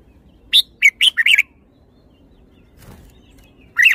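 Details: Red-whiskered bulbul delivering a lively phrase of five quick, bright whistled notes, then a short pause and one more slurred note. There is faint background rustle.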